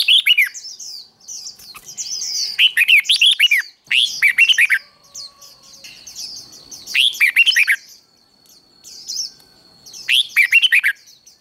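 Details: Contest-style singing of a red-whiskered bulbul, meant to train and excite birds for song contests: five or six loud phrases of fast, bubbling, up-and-down warbled notes about every two seconds, with faint twitters between.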